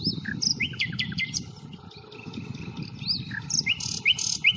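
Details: Nightingale on the Fingringhoe reserve, 1 May: varied song of sharp upslurred whistles, clicks and short rising notes in quick succession, with low rustling background noise throughout, recorded on a Panasonic Lumix FZ82.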